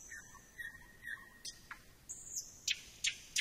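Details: Thrush nightingale song: a low level whistle with soft notes, a downward-sliding call, a high sustained whistle, then sharp high clicks.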